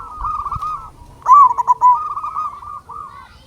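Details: Local zebra dove singing, used as a lure to stir other doves into song: one loud burst of rapid, bubbling cooing notes midway, over a steady background of softer cooing from other doves.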